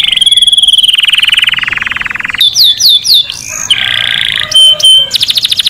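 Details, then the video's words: Canary singing to encourage males to sing and breed and to teach chicks: a long buzzy trill, then a run of quick falling whistles, a harsher rolled phrase and short bright notes. "أفضل صوت تغريد كناري خرافي لتهيج ذكور الكناري على التغريد والتزاوج وتعليم الفراخ"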